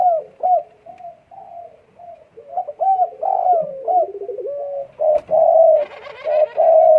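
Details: Spotted dove in breeding condition delivering a long run of low, throaty coos in uneven short phrases. Loud coos come near the end, with faint higher chirping behind them.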